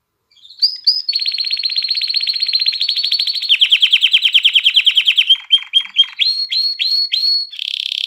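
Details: Canary song meant to stimulate females to mate and encourage chicks to sing: a long, fast, buzzy high trill that switches to a pulsing rolled trill, then a run of separate rising whistled notes repeated about three times a second.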